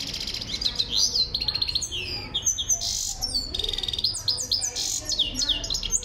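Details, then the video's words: Full song of a Himalayan goldfinch (saira), possibly an Iranian goldfinch type, in excited "masti" singing: a fast, tinkling, unbroken jumble of high twitters, trills and sweeping liquid notes. "Himalayan Finch Full Sining Goldfinch Saira Finch birdsong"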